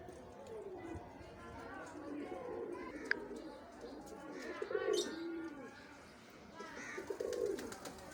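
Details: Domestic pigeon pair cooing: low, soft, rolling coos in short bursts spaced a few seconds apart, with faint higher chirps and light background noise.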